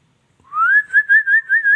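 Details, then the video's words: Female white-rumped shama: one clear whistle rising steadily, then running on as a wavering, pulsing whistle at a steady pitch. "suara burung muray batu betina"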